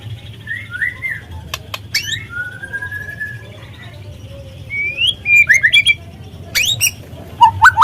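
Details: Shama song (murai trotol) played to rouse birds into song: long smooth whistles and a drawn-out falling note, then clustered high sweeps and a rising flourish at the close.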